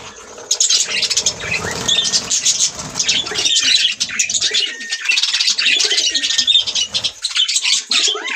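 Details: Budgerigars in full song: an unbroken, dense stream of high twittering, chirps and grating squeaks, with occasional short whistled notes, lasting throughout.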